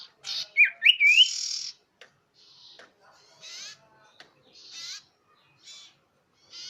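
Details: Loud, clear lure call of the common iora. A few sharp, twisting whistles and a buzzy rasp come first, then softer buzzy chirps at irregular intervals.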